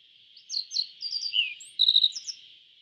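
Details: Yellow bunting of East Asia singing a run of about eight thin, high chirped notes, some sliding down, a few closely spaced, with a continuous high-pitched hiss behind.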